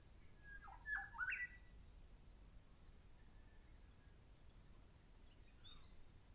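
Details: On 10 October 2012, a grey shrike-thrush gives alarm calls because someone is too close to its nest: a brief burst of harsh, slurred notes early on, then a faint later call, over a steady wash of high ticking insects or distant birds.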